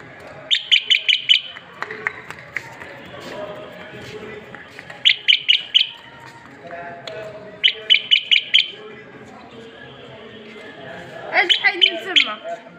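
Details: Common bulbul, the Moroccan black bulbul, giving strong song to stimulate other bulbuls to sing: rapid bursts of four or five bright, sharp notes repeated every few seconds, softer chatter between bursts, and a voice at the end.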